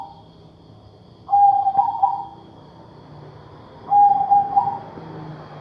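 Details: Two smooth, sustained hooting calls from a zebra dove of the katuranggan majapahit type, known for an unusual voice, each about a second long with a slight tremble, spaced roughly two and a half seconds apart.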